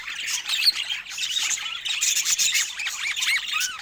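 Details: Budgerigars of a rare kind in Scandinavian daylight give quick looping chirrups and short squawky notes, with several birds warbling over one another and no other sounds.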